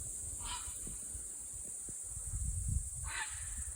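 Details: Group of common cranes on their first visit to rural land in Estonia, 22 July 2021, calling as a person comes out of the house; two short, harsh harmonic calls about 2.5 seconds apart over a steady high hiss and low rumble.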